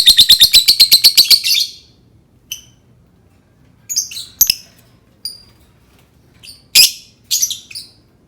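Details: Sounds of a lovebird meant to prompt others to sing: about four clipped, metallic chips per second in a steady run, then sparse high squeaks, short whistles and one loud harsh shriek.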